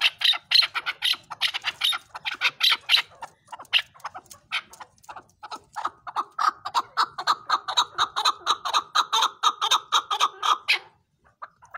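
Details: Chukar partridge giving a long rhythmic chuk-chuk series, about two notes a second, steady and accelerating into a dense, regular chatter that stops abruptly near the end, followed by a few soft notes.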